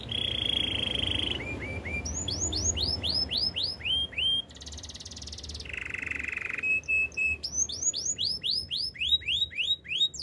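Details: Canary singing a low rolling trill, then bursts of rapid rising-falling sweeps, a buzzy rattle and a lower trill before more swift sweeping notes.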